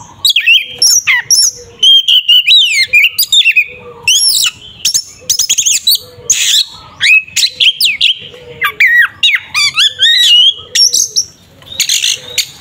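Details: Fighting song of an Oriental magpie-robin, used to provoke a rival: a long, dense run of scratchy notes, clicks and bright up-and-down whistles, nearly continuous with short gaps.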